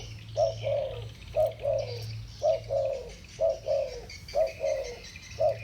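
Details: Dueling pair of spotted doves with the 'thổ bầu' singing style: rhythmic low cooing couplets roughly every second, each a clipped note and a longer sliding tone, with a soft hum and distant twitters.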